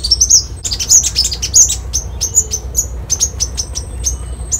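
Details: Copper-throated sunbird: a burst of fast jumbled high twitters, then a series of short, thin, sharp notes repeated roughly every half second.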